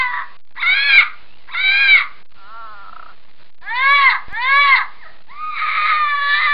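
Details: Loud scarlet macaw calls, the Neotropical parrot of humid evergreen forest: repeated harsh arched squawks in pairs with short silent gaps, one softer lower note, and a drawn-out wavering scream at the end.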